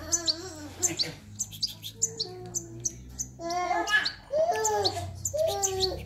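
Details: A young European goldfinch, a pet companion, gives bursts of high, thin tweets and squeaky notes at a rapid, irregular pace, with a person speaking French softly in the background.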